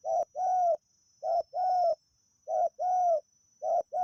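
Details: Steady rhythmic song of a wild spotted dove during decoy luring, each phrase a short coo then a longer smooth one, repeated about every 1.2 seconds against a faint high insect tone.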